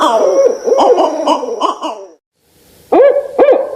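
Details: Barred owl hooting: several rhythmic hoots, then about half a second of silence, then two more strong hoots.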